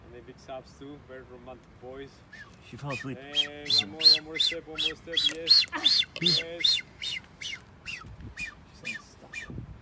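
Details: Galapagos Islands: an older, greenish-footed male Blue-footed booby courting a blue-footed female already sitting on eggs. Nasal, honking notes are answered by a rapid run of thin, sharp whistles, about three each second.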